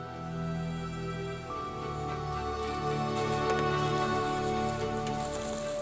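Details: Soft, tender instrumental music over a patter of rain, with no animal sounds.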